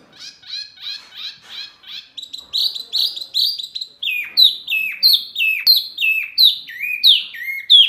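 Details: Mini wambi bird, a very noisy caller said to provoke other birds, gives a fast series of high chirps, then sharp downward-sliding notes repeated steadily, growing louder toward the end.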